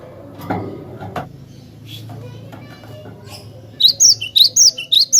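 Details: Cinereous tit song for training other birds: a few soft clicks and knocks, then a lively series of high whistled notes alternating up and down in regular pairs, about two per second.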